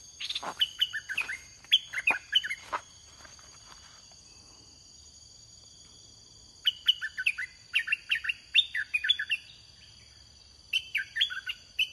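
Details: Caged red-whiskered bulbul used as a decoy to lure wild bulbuls. Bright whistled phrases of quick rising and falling notes come in two bursts separated by a pause, over a steady high insect drone.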